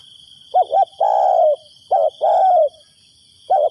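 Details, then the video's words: Calling decoy spotted dove luring wild birds: a stuttered double coo, then a drawn-out level croo, heard twice with a third phrase starting, over a constant faint high-pitched hum. "chim cu mồi gáy gọi bổi"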